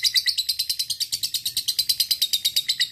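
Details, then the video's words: Fighter lovebird calling a rival with a long ngekek trill used as a tutor recording: a fast, rattling run of shrill, harsh notes, about nine per second, continuous throughout. "LB FIGHTER NGEKEK PANJANG masteran lovebird ngetik ngekek panjang"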